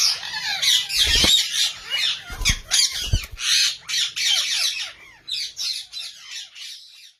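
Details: Rose-ringed parakeets give loud harsh grating screeches in rapid irregular bursts, several a second, fading slightly toward the end, with a few low thuds.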